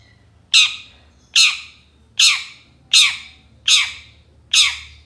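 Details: Long-tailed shrike used as a lure to get silent shrikes singing, giving loud harsh squawks, six rasping downslurred bursts spaced about a second apart over quiet background hum.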